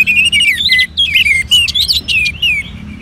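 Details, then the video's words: Caged orange-headed thrush from northern Bali, urged to sing by recorded colony birds, gives short bursts of bright, looping whistled phrases with brief pauses between them. "Merangsang ANIS MERAH Agar Mau Berbunyi"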